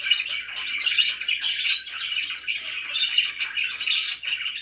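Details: Indoor pet budgies keep up a busy, scratchy warble, full of quick chirps and short squawky notes running together without a break, louder in bursts around the middle and end.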